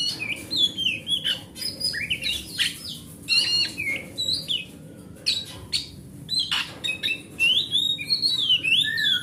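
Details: Wild-type oriental magpie-robin with a large body, used to prompt a silent pet magpie-robin into singing: varied whistled and chattering phrases between 2k and 6k, rising and falling slurs with sharp clicks, several bursts overlapping.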